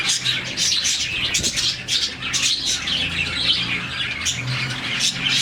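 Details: Morning chirping from a colony of about 40 budgies, a sound they make when happy; many birds twitter at once in a steady, busy stream of high notes, with a low room hum in the background.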